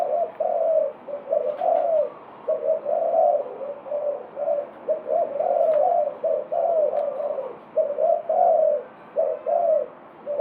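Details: Spotted dove giving repeated mellow coos, grouped in short phrases with pauses between, over faint background hiss.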